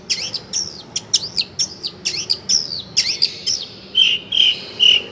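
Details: Long-tailed shrike tutor song with fill phrases: a repeated series of forked, sharp whistled notes, then three steady pure high whistles.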